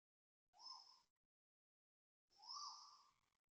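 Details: Asian koel calling loudly at 6:05 am on 5 November 2025 at Toa Payoh Lorong 8, Singapore: two rising whistled notes, each under a second and about 1.7 seconds apart, with a hissy high overtone band and silence between.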